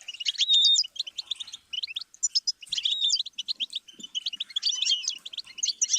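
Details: Goldfinch singing, played as a learning stimulus: tinkling twitters broken by quick buzzy trills and a few clear whistled notes, arriving in irregular bursts.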